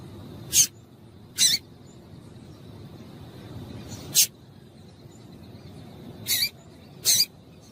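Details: A female double-collared seedeater calls to stimulate males, producing five short, sharp, very high chip notes spaced irregularly one to three seconds apart, with a faint steady hum behind.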